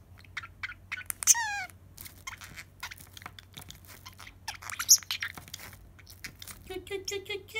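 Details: Pet Pacific parrotlet, excited by the sound of crinkling plastic wrap, which it seems to love, gives short, high, scratchy chirps and a few quick descending notes amid the dry crackle of the wrap.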